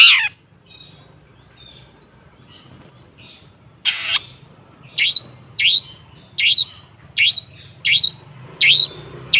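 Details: Long-tailed shrike lure recording: a harsh rasp, then a steady hiss of background noise with one harsh burst and a series of sharp, downslurred chirps about once a second.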